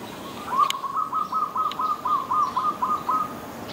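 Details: Dove on a tree giving a rapid run of about a dozen short, even hooting notes at the same pitch, roughly four per second, with a couple of sharp clicks and low background noise.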